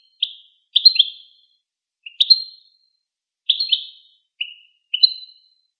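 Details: Goldfinch giving short, sharp twittering calls in small clusters, several brief high chirps spaced irregularly through the recording, with no other sounds.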